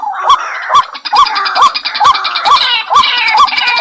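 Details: White-breasted waterhen lure call: a short hooked mid-pitched note repeated roughly twice a second in steady rhythm. Sharp clicks mark each beat, and a dense, harsher layer of overlapping calls sits above it.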